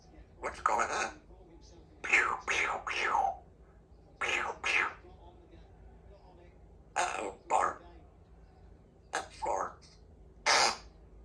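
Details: A 2-year-old female Congo African grey parrot in a country home, talking one afternoon: short voice-like bursts of mimicked speech in uneven phrases, separated by pauses of one to two seconds, over a low indoor hum.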